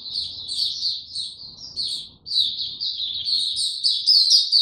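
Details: White-eye singing on 29 April 2022 without health supplements: rapid shrill twittering phrases broken by one short gap, rising to a louder, more intense flourish at the close.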